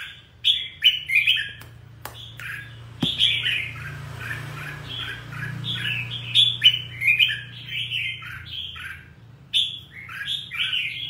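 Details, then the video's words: Red-whiskered bulbul in full song: rapid run of clear warbled notes, chirpy downslurred whistles tumbling in quick groups, a single sharp click near the third second, low hum underneath. "chào mào hót hay"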